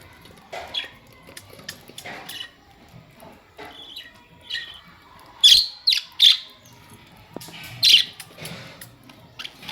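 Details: Budgerigars calling with scattered short chirps, a few loud sharp bursts around the middle and later part, quieter twittering between them indoors.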